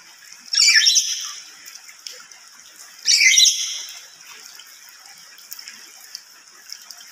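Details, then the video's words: A lory gives two loud, shrill, harsh screeches about two and a half seconds apart, each a burst of grating high notes, over a faint background hiss. "Suara keras dan melengking burung nuri"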